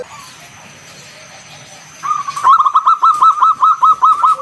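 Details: After two seconds of faint background, a local zebra dove launches into its 'ngalun kung bulat' song, used to lure other doves into singing: a rapid, regular string of about a dozen clear, ringing coos.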